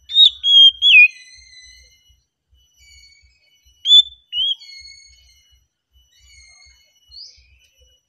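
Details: Relaxed song of an oriental magpie-robin: clean, piercing whistles with sharp slurred bends, given in short bursts separated by pauses of several seconds, in an otherwise quiet setting.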